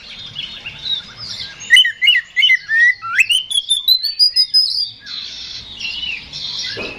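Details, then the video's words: Oriental magpie-robin singing aggressively to provoke a rival: a soft warble gives way to quick, regular notes climbing steadily higher for about three seconds, followed by a quieter scratchy warble. "KACER GACOR NGEPLONG TARUNG !! PANCINGAN KACER PALING AMPUH BUAT MENAIKAN EMOSI KACER AUTO RESPON"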